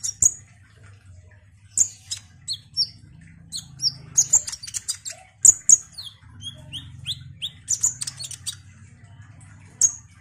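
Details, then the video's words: Caged kolibri ninja sunbird in active song: scattered high, sharp chirps and quick descending squeaky notes in short clusters, with pauses between and a soft low hum underneath. "Kolibri Ninja GACOR ini DIJAMIN bikin KONIN lain ikut EMOSI Rajin Bunyi"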